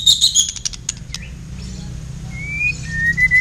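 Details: Kept blacktail white-rumped shama dueling with a kapas tembak, the latter used as a master bird for song training; brief bright chirps and high notes, then a few long thin whistles at steady pitch over low hum.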